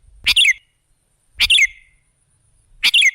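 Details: Sooty-headed bulbul (kutilang) song used as a lure to draw other birds. Three short, bright chirping phrases, each a sharp note falling into a quick two-part warble, spaced about 1.3 seconds apart, with quiet between them.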